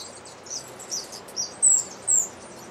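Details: Blue-grey tanager (Tangara episcopus) calling at Alambi Cloud Forest Reserve, Ecuador, in May 2012: thin, very high squeaky notes, a few faint ones and then two stronger slurred squeaks about half a second apart, over a steady hiss.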